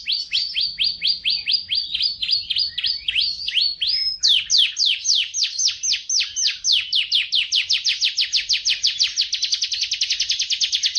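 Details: Singing Atlantic canary (Serinus canaria), a cage songbird bred in Indonesia, performing a training song: long rapid trill of sweeping notes that speeds up steadily, ending in a dense, very fast rattling roll.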